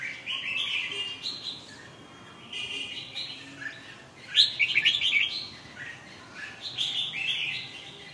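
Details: Red-whiskered bulbul singing a near-continuous chatter of warbled, whistled notes, with a louder, rapid rippling burst in the middle and softer phrases around it.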